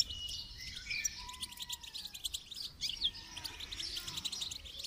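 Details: Goldfinch twittering song for training, fairly quiet, with a few drawn-out lower whistles from another bird mixed in.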